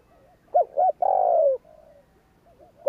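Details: Spotted dove in the 'gù kích' style used to rouse wild birds. One phrase holds two quick hoots followed by a drawn-out descending coo, with faint softer cooing before and after.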